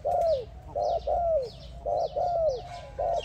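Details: Spotted dove calling another dove with loud, low coos. Short clipped notes alternate with longer downslurred coos in a steady pattern about every second. High, thin chirps of other birds are heard in the background.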